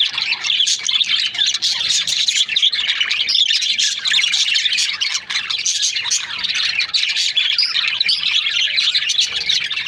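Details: Budgerigars kept as breeding pairs keep up a dense, noisy chorus of high chirps, squeaks and harsh squawks, steady throughout with many voices overlapping.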